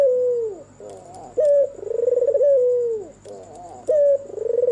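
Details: White Barbary dove, albino with red eyes, cooing after dark. A mellow falling coo, a soft upward purr, then a sudden short note leading into a quavering roll and smooth descending tail, before the pattern begins again. A faint high hum is audible.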